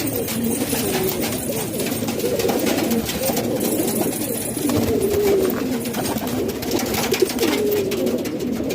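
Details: Pakistani house pigeons coo in a low, warbling chorus; a few drawn-out rolling notes stand out above the flock's constant murmur and scattered clatter.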